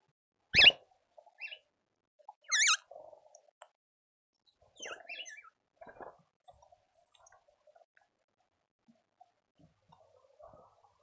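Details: Speckled mousebird at a garden feeder in suburban Pretoria, South Africa: three loud, high, harsh calls of quick dipping notes spread over about five seconds, then quieter scattered chirps and soft low murmurs.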